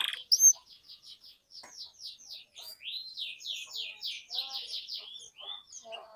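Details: Softer canary song aimed at restarting quiet canaries: one sharp high note, then a string of quick rolling trill notes and sweeping whistles at moderate volume.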